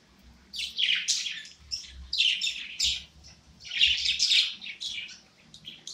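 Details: A happy pet budgerigar warbles a bright, high chattering song in dense bursts of scratchy chirps and whistles, each lasting about a second with short pauses between them, in a quiet indoor setting.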